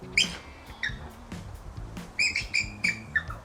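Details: Captive bald eagle at a Montgomery, Alabama zoo giving a few sharp, high squeaky notes, then a short run of piping chips, with music audible beneath.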